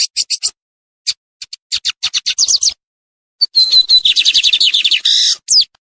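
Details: Lined seedeater, called bigodinho, starts with spaced sharp ticks that quicken. After a pause comes a pure thin whistle, then a rapid rattling buzzy trill, ending with a loud harsh burst and a falling whistled slur.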